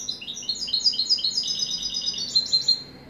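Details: European goldfinch song with a continuous run of bright, high, chattering notes that rise into a brief, sharp, ringing flourish near the end.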